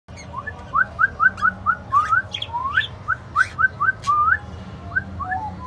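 A lutino cockatiel whistles a quick run of short, rising notes, a few of them swooping upward.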